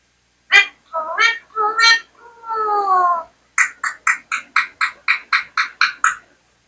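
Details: Talking Indian parrot gives a nasal four-part spoken phrase ending in a long, falling word. It then breaks into a rapid series of about twelve sharp, evenly spaced chattering notes, roughly four per second.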